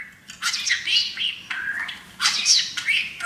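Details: Pet male parakeet, happy while standing on his new playground, practicing taught phrases such as "baby bird"; scratchy, chattering syllables in short bursts with squeaky high notes, separated by brief pauses.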